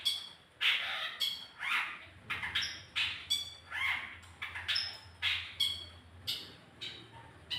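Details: Lure song of a long-tailed shrike used to get a bird singing: steady series of raspy, scolding squawks with thin high whistled tones, about two notes a second, faint hum underneath.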